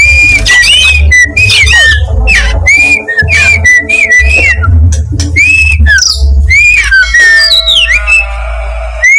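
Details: Long run of song from a black-breasted Oriental magpie-robin of East Java: rapid series of short upslurred whistles, then varied sweeping notes and a falling trill, with low humming underneath.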